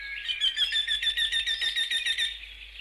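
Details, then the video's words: Eurasian wryneck song: a steady run of about a dozen nasal, even-pitched notes, each evenly spaced and repeated rapidly for over two seconds, in a quiet setting. "Jynx torquilla song"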